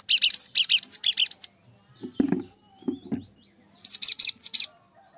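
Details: Cinereous tit lure song meant to set other birds singing: quick bursts of four or five high, bright chirps, then a pause with low thudding knocks, then another burst.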